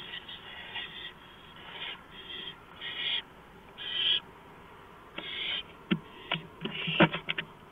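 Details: Owl on a porch in the early hours, 2:05 AM, April 5, 2015: a string of rasping, hissy screeches of varying length, some faint and some loud, mixed with scattered knocks and clicks toward the end.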